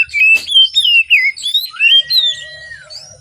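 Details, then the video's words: Oriental magpie-robin singing vigorously in the morning, used as a lure for birds reluctant to sing: a run of loud, clear whistled notes sliding up and down, ending in a long level whistle with a soft lower tone. "Kacer Gacor Di Pagi Hari, Pancingan Kacer Sulit Bunyi dan malas Bunyi"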